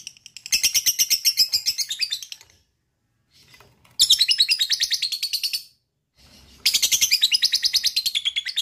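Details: Three long bouts of fast, buzzy pulsed chattering from a lovebird, each about two seconds, with brief quiet gaps, used as a lure to get other lovebirds trilling.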